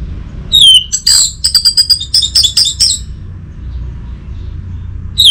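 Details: Orange-headed thrush lure song: a falling whistle opens a rapid stuttering series of some dozen buzzy high notes, then quiet, and another falling whistle begins at the close.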